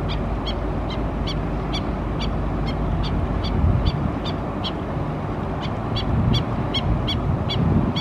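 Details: Black-necked stilt mother at Oso Creek, Laguna Niguel, California, on April 29, 2017, alerting her foraging chicks: sharp, nasal yipping notes repeated steadily about twice a second over a constant low rumble of wind or water.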